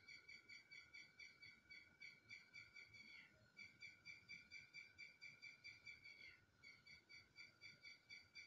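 A red-wattled lapwing gives loud, strident, ringing notes at about two per second, in a steady run broken by two brief pauses, over faint background rumble.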